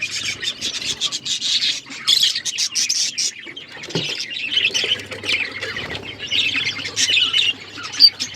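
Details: Budgies chirping in a busy, continuous chatter of scratchy, warbling notes and squawks that rise and fall in bursts, with several birds apparently calling at once.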